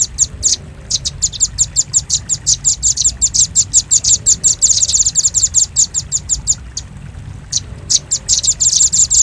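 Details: Velvet-fronted nuthatch call used as a lure for catching birds: rapid hard, high chipping notes in fast rattling series, several per second, with brief pauses between runs.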